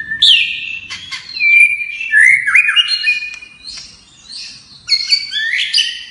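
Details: White-rumped shama in varied many-voiced song, sliding whistled notes and sharp upsweeps mixed with buzzy high phrases, delivered in quick bursts separated by brief pauses.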